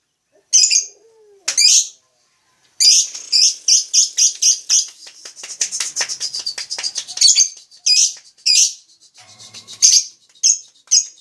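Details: Lovebird chatter: two sharp squeaks, a pause, then a fast, accelerating string of high clipped chirps merging into a buzzy trill, followed by scattered squeaky notes.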